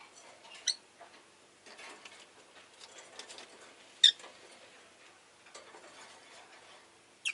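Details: Rosy-faced lovebird kept as a pet giving a few sharp, high chirps spaced seconds apart, the loudest near the start, middle and end, over soft scratchy patter and faint town noise.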